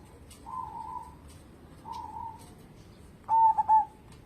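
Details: Local zebra dove singing, meant to draw other birds into song: two soft drawn-out coos followed by one louder, clipped, stuttering coo phrase, over quiet background hiss.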